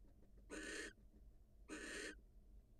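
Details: Wild female barn owl leaving the nest to greet her mate: two harsh, breathy hissing screeches, each about a third of a second long, about a second apart over low background rumble.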